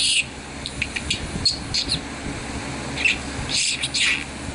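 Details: Pet male budgerigar warbling: a rapid jumble of high chirps, clicks and squeaky notes, some bursts louder than others, with brief pauses between phrases and a faint low hum beneath.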